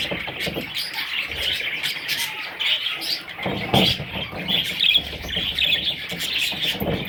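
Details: Baby parrots, several young birds, chirping in a dense, continuous high twittering chorus of short overlapping notes, with occasional low thumps and rustling underneath.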